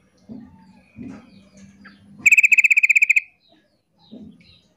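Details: Sooty-headed bulbul, a female calling to provoke a male to call back: a fast, steady rattle of about fourteen bright staccato notes, with low thudding background sounds before and after.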